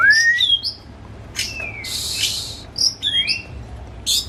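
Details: White-rumped shama kept at home as a hobby bird, song serving as a lure for another shama: rising and slurred whistles, a harsh buzzy passage, then more sweet slurred whistles and sharp clicks.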